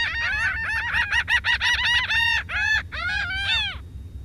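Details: A Laughing Gull gives its long call, a sound typical of eastern beaches in summer: a rapid run of nasal, arched 'ha-ha-ha' notes, starting quick and slowing into longer, drawn-out laughing cries.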